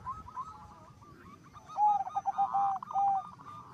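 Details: Zebra dove song that gets other perkutut calling; soft rolling coos give way to a few louder long even notes, with other doves faintly in the background.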